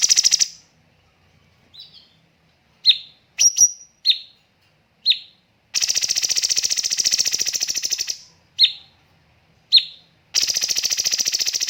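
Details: Cucak cungkok master recording for training birds, mixing pauses and tight tembakan: scattered sharp whistles and slurred chips alternate with long rapid buzzy rattles of two seconds or more.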